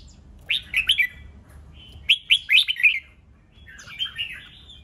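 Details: Song of a red-whiskered bulbul meant to provoke fighting: three rich, rolling whistled phrases, the first two quick and punchy, the last softer and more drawn out, set against a quiet background.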